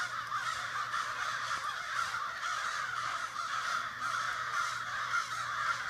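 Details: A large group of crows calls together one morning in a Sudbury backyard, their rough caws piling up into a thick, steady chorus with no gaps, a faint mechanical hum underneath.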